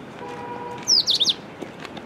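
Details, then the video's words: An Indian robin (Saxicoloides fulicatus) at Victoria Park, Bhavnagar, Gujarat, gives a brief burst of four or five high, sharp chirps with quick downward slurs, over a faint steady hum. "Indian Robin Call"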